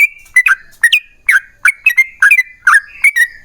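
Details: Yellow-vented bulbul singing in energetic, long rapid phrases meant to draw other bulbuls into song: short, gurgling, downslurred notes delivered about three per second, each with a crisp click at the start, over a faint steady hiss.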